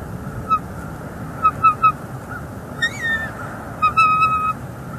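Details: Bald eagle female calling on a northeast Florida nest, December 2021, while the male delivers fish and sticks, filmed by a live nest camera. Scattered short, sharp chirps, one bent, wavering note, then a quick burst of chirps running into a longer whistle.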